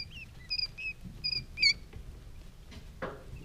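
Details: Three-day-old quail chicks giving thin, high, slightly rising peeps in quick bursts of two or three, with a soft rustle of movement near the end.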